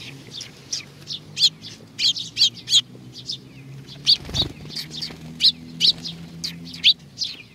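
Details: Sparrows arriving to be fed at Tenmangu shrine, Nakanoshima, on 21 June 2020 give short, high chirps in loose, irregular bursts, with a steady low hum and a brief thump midway.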